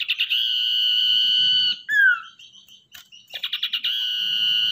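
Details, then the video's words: A wild-caught, tamed captive common iora in active song, used as a lure bird, gives a quick burst of stuttered notes, a long steady high whistle, then a short falling slur, then repeats the stutter and whistle. "Cipoh atau Sirdung Ekor Hitam Gacor"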